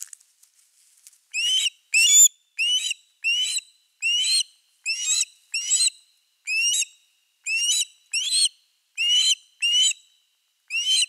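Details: Long run of osprey calls at a Finnish camera nest with a fish on 4 August 2024: after soft rustling, about fifteen shrill whistled upslurred notes follow each other every half second or so.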